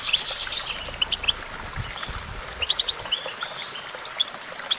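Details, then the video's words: Sweet twittering from a goldfinch, opening with a bright high trill, then scattered short tinkling notes and a few slurred whistles. "Vocal virtuoso: activating enhancing your goldfinch songbird prowess"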